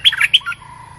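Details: Stripe-throated bulbul, a caged decoy bird used for trapping, in a new decoy cage: three quick, loud warbled notes in rapid succession, then a lower, softer note that fades out, all within about one second.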